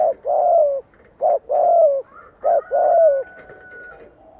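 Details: Decoy spotted dove calling to lure wild doves in for a fight, giving repeated hoarse low coos in short-long pairs, about three loud notes in quick succession, with a faint thin whistle behind.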